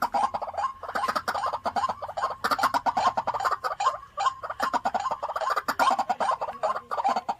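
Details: Home-kept white-breasted waterhen used as a decoy calls in a fast, unbroken run of rough, throaty notes, several each second, steady throughout.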